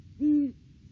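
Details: Single deep hoot from a Great horned owl of a duetting pair visiting the nest tree in the off-season, December 3, 2022; one low, steady, even-pitched note lasting about a third of a second.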